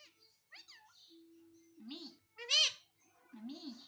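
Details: Indoor pet parrot talking, asking to be given roti; quick rising chirps and a held low hum lead to a wavy, voice-like phrase, then one loud ringing squawk and a final warbling mutter.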